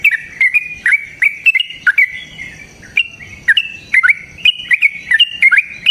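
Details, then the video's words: Yellow-vented bulbul singing vigorously to prompt rival birds: a steady chain of short, sharp whistled notes, each bending up or down, with an occasional longer sustained whistle. "TRUCUKAN GACOR TARUNG ROPEL PANJANG PANCINGAN TRUCUKAN Agar Bunyi Jadikan Burung TRUCUK GACOR EMOSI"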